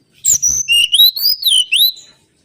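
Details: Mangrove whistler singing for a lure recording: one clear continuous whistled phrase, a high falling whistle followed by a chain of slurred notes rising and falling, about two seconds long.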